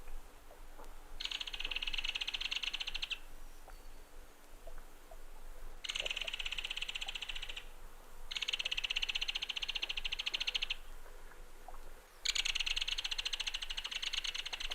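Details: Belted Kingfisher (Megaceryle alcyon) rattle call: four loud, dry, clattering rattles, each lasting about two seconds, with brief pauses between and a faint hiss behind.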